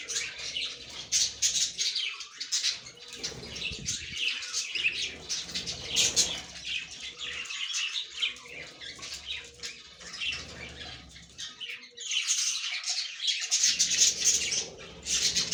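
Budgerigars chatter in a steady stream of high, scratchy chirps and warbles, with wing flutters mixed in.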